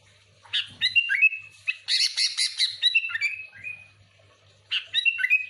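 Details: Sooty-headed bulbul in noisy full song for luring bulbuls: sliding whistled notes, then a harsh rapid chattering burst, followed by more falling whistles and a final quick phrase.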